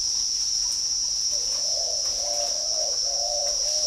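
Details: Caged male Spotted Dove with a 'brass' (âm đồng) voice, kept in the middle cage at a bird garden in Ba Vì, Hanoi, Vietnam: low, hollow coos begin partway through as a run of soft, even notes, over a constant high insect-like whine.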